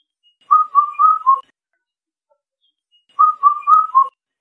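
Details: Two clear four-note phrases from an Indian cuckoo, mellow whistles at a fairly even pitch ending on a slightly lower note, separated by a pause of under two seconds; quiet background.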